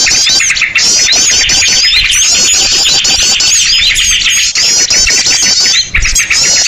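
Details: Noisy bird lure recording used to attract and gather birds: a dense, loud chorus of many overlapping high chattering and trilling calls, continuous throughout with scarcely a break.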